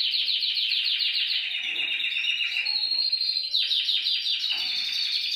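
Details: Canary song played to prompt caged canaries to sing: dense continuous trilled song with rapid repeated notes, fast rolling trills and brief higher whistled flourishes, steady and loud throughout.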